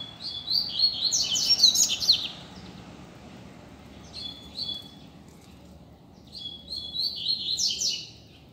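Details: Free double-collared seedeater singing in the street as a teacher for learning: a loud burst of fast, high whistles and twitters, a short faint phrase, then another rapid twittering run near the end.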